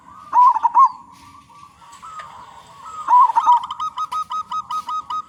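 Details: Local zebra dove singing in a big voice, played as a lure to get other zebra doves cooing: rolling, warbled coo phrases, followed by a run of evenly spaced short pulsed notes repeated about three times per second.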